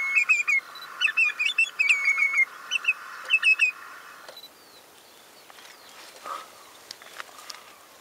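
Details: Common redshank calling: a rapid series of short, piping, slightly downslurred notes given in quick clusters over the first four seconds, then fading to quiet background with faint distant sounds.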